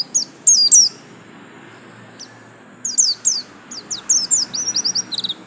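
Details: Bustomi yellow-striped white-eye, a home-kept songbird, giving scattered high, thin chirps that slide downward, then a quick run of short twittering notes near the end against a faint hiss.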